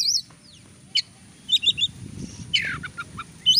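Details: Oriental magpie-robin song used to goad a lazy bird into singing: high warbles, clusters of sharp chips, a rough downward-sliding buzz and renewed high whistled notes, fast and irregular, above a low background hum.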